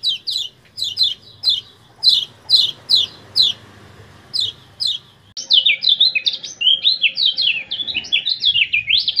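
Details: Common iora from Lombok, used to train caged birds: about a dozen sharp, high ciak notes in pairs and threes, then a dense, fast whistled chattering song that runs to the end.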